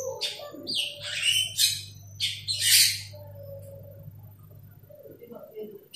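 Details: Asian glossy starling calling to a rival: harsh, buzzy broadband squawks and sharp chirps in short bursts, with a low steady hum underneath.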